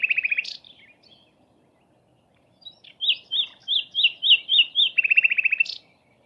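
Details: Sikatan londo flycatcher singing for songbird training: a rapid trill of high chirps, a pause, then a series of rising, slurred whistled notes ending in another fast, buzzy chirping trill.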